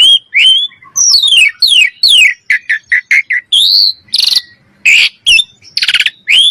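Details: Common myna producing loud descending whistled slurs, a quick run of short repeated notes, and then harsh buzzy squawks.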